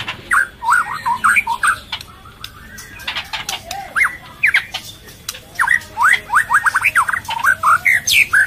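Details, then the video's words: Chick-feeding female white-rumped shama in breeding condition, calling to lure males: repeated clusters of short, steeply falling whistled notes, a brief pause, then a long fast string of similar notes, with sharp clicks throughout. "Burung Murai Melolloh Anaknya dan Suara Pancingan Murai Birahi untuk pancing Jantan Birahi"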